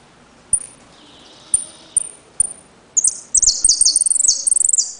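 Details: Saffron finch kept in a cage, Trenque Lauquen, singing the "El Correntino" pattern of repique, golpe and pitadas: a few spaced high piercing pips and a faint buzzy trill, then two seconds of loud, fast, tumbling high chatter.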